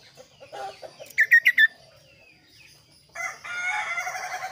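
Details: Lively Kaso kaso song: four quick, sharp, harsh notes, a short pause, then a dense, scratchy chattering phrase.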